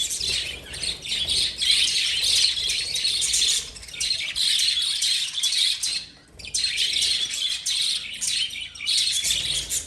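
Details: Lovebirds keep up a loud, continuous shrill chatter of overlapping high chirps. It breaks off twice for a moment before resuming at full strength.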